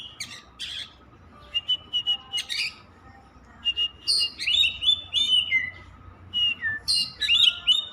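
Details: Oriental magpie-robin, a kept songbird that sings without stopping: short chips and clicks at first, then long runs of varied whistled and scratchy notes growing denser and louder, with a faint background hum.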